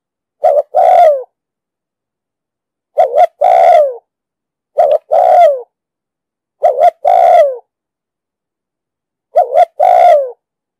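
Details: Spotted dove lure call in the 'thúc gù' cooing style with a booming 'đồng sấm' voice, used for trapping and training newly caught birds: five phrases of a short double note and a long sliding-down coo, spaced about two seconds apart.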